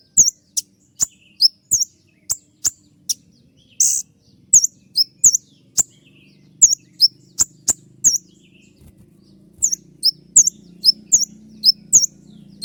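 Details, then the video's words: Kolibri ninja sunbird sounding its sharp 'tembakan' shooting song for cage-bird training. Evenly spaced high clicks lead into shrill, hooked whistled notes that come in clusters, with a low hum rising toward the end. "masteran kolibri ninja dengan full suara tembakan"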